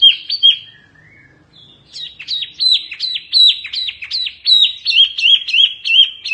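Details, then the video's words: Oriental white-eye with a mini fierce song: a short high phrase, a pause, then a long rapid series of sharp, dipping whistled notes in quick succession. "Kicauan OK wambi mini GANAS bagus untuk masteran"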